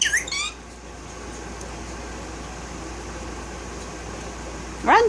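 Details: A 1-year-old male violet Indian ringneck (rose-ringed parakeet), a talking pet, speaks in short, raspy, word-like bursts at the start and end, with a quiet indoor hum between.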